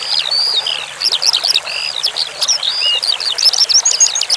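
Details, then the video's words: Eurasian skylark (branjangan) singing in a training recording with flowing water: fast, unbroken stream of high chirps, slurred whistles and buzzy trills, delivered in quick bursts with brief dips between them. "Masteran Suara Branjangan Sky Lark"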